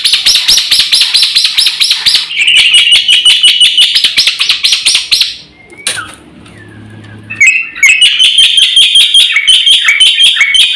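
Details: Lure and master song of a black-winged myna: dense, rapid chattering and whistling phrases repeated nearly three times a second, a brief drop to near quiet, then the fast varied song resumes.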